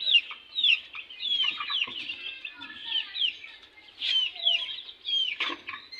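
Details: Young domestic chicks fighting, a new addition among fresh chicks; rapid, high downslurred peeps from several birds, coming in bursts with brief pauses, with light scuffling between calls.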